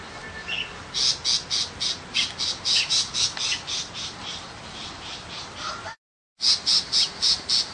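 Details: Countryside tiger shrike, small and not a mimic, giving a fast series of scratchy, buzzy notes, roughly four a second, steady for several seconds; a brief silent gap interrupts before the harsh chatter resumes.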